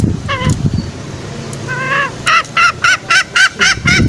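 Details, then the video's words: Green junglefowl lure sound for trapping. A short call and a quieter drawn note, then a brisk run of clipped, nasal, honk-like notes about four per second. "Pikat ayam hutan hijau suara masteran dan pikat paling ampuh"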